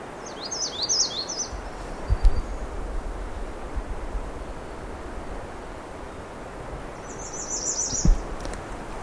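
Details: A female American redstart at Pine Tree Point gives two short, high, thin phrases of quick sibilant notes several seconds apart, songs lacking an up or down ending, over low wind rumble; she sings several songs, some mimicking common yellowthroat.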